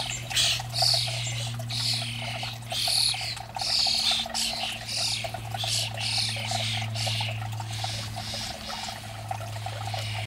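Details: Starlings feeding noisily in a garden, eating from a supply of bird food; dense overlapping chattering, whistles and clicks from several birds throughout, with a steady low mechanical hum underneath.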